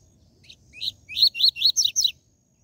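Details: Coleiro singing the TUI TUI ZEL ZEL style of song, used for training and stimulating captive birds. Two soft introductory notes, then five loud, rapid, high, upslurred whistled notes in quick succession.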